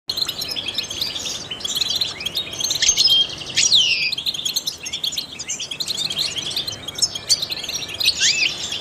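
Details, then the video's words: Trained European goldfinch singing to stimulate other songbirds: a dense, rapid twittering of high chirps and sharp down-slurred notes, with a bright rising-then-falling sweep near four seconds and a short silent gap at the start. "in the wild goldfinches chirp to stimulate songbirds"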